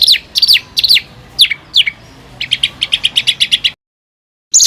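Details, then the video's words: Used for training fighter birds, this songbird voice gives a few loud down-slurred whistles. Then comes a quick, even series of sharp ticking notes, broken off by silence before a final high burst. "ROLL RAPAT KASARAN || TEMBAKAN Kasar Untuk BURUNG FIGHTER"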